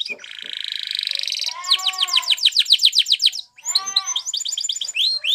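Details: Spanish Timbrado canary singing a training song: a sustained metallic buzzy trill, then a rapid series of descending sweeps over soft gurgling tones, a brief pause, and renewed bright rolling phrases.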